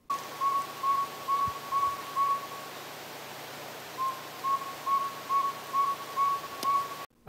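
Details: Northern Saw-whet Owl giving incessant, even, mid-pitched whistled toots at night in forest, about two per second in two steady runs, almost mechanical, over a soft background hiss.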